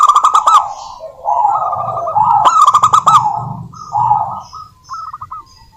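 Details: Local wild zebra dove singing briskly as a lure for other doves: clattering bursts of rapid notes alternate with longer rolling coos, over a faint low hum.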